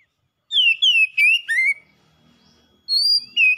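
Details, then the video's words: Pet oriental magpie-robin in gacor song: four crisp descending whistles in quick succession, a pause of about a second, then two more high clear notes. "KACER PELIHARAAN MACET BUNYI LANGSUNG ON GACOR SEKALI PANCING"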